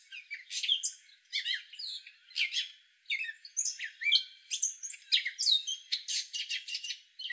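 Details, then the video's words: Male gray catbird delivering a rambling, nonstop medley of squeaks, chirps, scratchy notes and quick slurred whistles, closing with a rapid stuttering series of sharp clicks; high-pitched throughout, no other sounds. "Gray catbird call"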